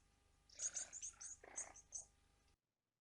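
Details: Blue waxbills calling, played as a quiz sound and described as high-pitched whistling; a rapid run of very high, thin whistles with some lower chattering notes in the middle, then silence.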